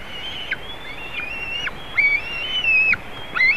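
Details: On 27 June 2019 a juvenile white-tailed eagle visits eaglets in their nest in Latvia, recorded by a live nest camera. Thin, high whistles run in a near-continuous chain, some notes rising and some sliding down, with faint clicks between.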